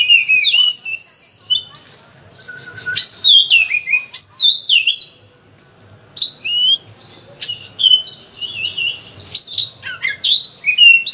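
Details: Oriental magpie-robin (kacer) in an intense, nonstop 'gacor' training song packed with varied phrases, meant to prompt other kacer to sing; loud, rapid bursts of sweet whistles, slurred notes and harsh chatters, with a brief pause near the middle.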